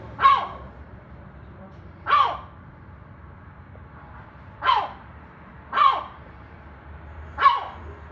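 A gull gives five short, harsh, bark-like calls, spaced irregularly one to two and a half seconds apart, sounding much like a dog, over a faint low background hum.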